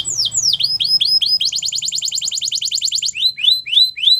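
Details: Canary in song, with descending slurred whistles, a sharp rapid trill of evenly spaced notes, and rising swept chirps at the end; a low hum underneath.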